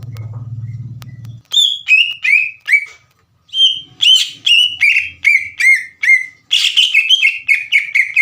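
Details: After a brief low hum, a green leafbird bursts into strong song meant to rouse rival leafbirds: series of descending whistled notes, a short gap, then a longer, quicker run ending in dense chatter.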